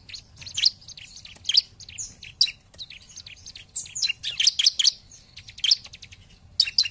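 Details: High, sharp chips and short buzzy trills from a bar-winged prinia in lure song to provoke opponents, scattered early on and then packed into dense rapid bursts toward the end, over a quiet low hum.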